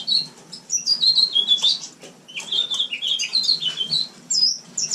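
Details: House finch warbling indoors during winter: lively, twittering phrases of rapid slurred high notes, brief pauses between bursts, and a soft constant hum beneath.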